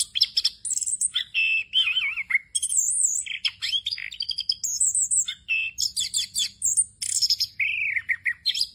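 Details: Orange-headed thrush in continuous rolling 'ngerol' song packed with varied inserted phrases, used as tutor material for young birds. Rapid high notes, whistled trills and wavering slurs jump between registers with barely a pause across the whole stretch.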